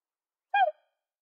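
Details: A black swan hunting call: one brief bugling note with a reedy, harmonic tone that slides slightly downward, against silence.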